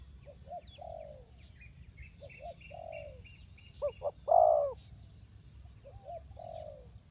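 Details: Spotted dove used as a decoy to lure wild birds into a trap, Ninh Thuận: low hollow coos, two quick short notes then a longer drawn-out note, repeated, with faint higher bird chirps behind.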